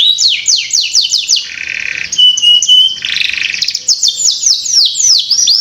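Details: Domestic canary song meant to prompt young birds to sing soon: rapid sweeping trills, then a dry buzzing rattle, a brief pure steady whistle and a second rattle, before quick chirping sweeps return.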